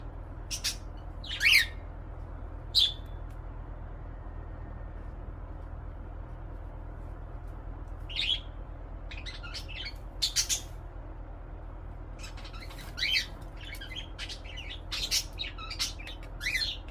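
A cockatiel gives short, sharp chirps and whistled notes in scattered bursts over a steady low hum.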